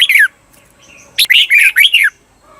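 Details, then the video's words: Red-whiskered bulbul on a Thai training recording for the doubled 'berl' style: a short falling chirp, then a burst of four loud, looping whistled notes, with quiet background. "เสียงฝึกเบิ้ล นกกรงหัวจุก เปิดสอนเบิ้ลยาวๆ เบิ้ลได้แน่นอน"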